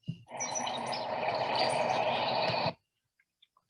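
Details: On a cold, windy March morning in a residential neighbourhood, a Brown-headed Cowbird gives a dense, gurgling, squeaky outpouring of liquid, water-drop-like notes and thin high squeaks lasting about two and a half seconds, then a few faint distant chips.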